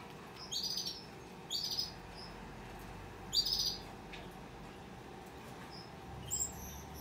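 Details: Young hand-fed opaline rosy-faced lovebird, December 2021, uttering brief scratchy high chirps in small clusters, about four calls spread across several seconds, with a low steady room hum beneath.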